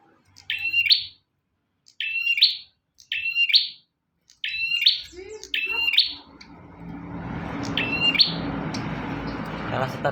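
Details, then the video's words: {'caption': 'Prenjak, or bar-winged prinia, in lively song as a training master: crisp two-part chirped phrases repeated roughly every second, followed by a rising hiss of background noise.'} "Burung prenjak tamu / prenjak omah gacor"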